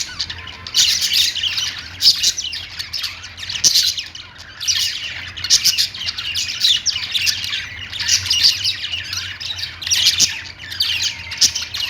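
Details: A group of pet budgerigars sings steadily: rolling, scratchy chirps and chatter rising in bursts every couple of seconds over a low background hum.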